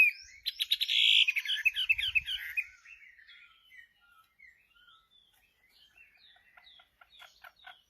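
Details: Chinese hwamei song: a loud burst of rich, rapidly repeated whistled notes for about three seconds, then fainter scattered twittering phrases trailing off.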